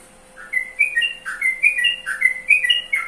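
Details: Yellow-vented bulbul (trucukan) singing a bubbly run of short slurred whistled notes, rising and falling about two to three kilohertz, roughly a note every fifth of a second after a brief pause, over a steady faint electrical hum.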